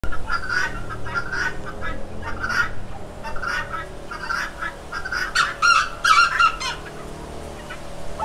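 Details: Rooster giving a run of short clucking calls in quick bursts, some spaced and some bunched together, with steady low background hum.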